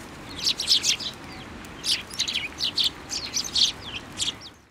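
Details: Eurasian tree sparrows gathering on a plum tree at a Tenmangu shrine in Japan, winter; groups of quick bright chirps separated by short gaps, ending abruptly.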